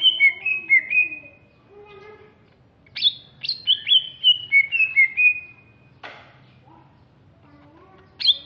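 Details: Greater green leafbird from Alas Purwo, Banyuwangi, East Java: lively song of rapid descending whistles in groups, a brief lower murmur, then a fast run of about eight clear slurred notes and a final sharp chirp.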